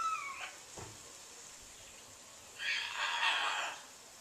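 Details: Big caged pet bird on a back porch, crying on and on, January 4, 2014: a short harsh call at the start, a soft thump, then a long, rough, broadband screech lasting about a second.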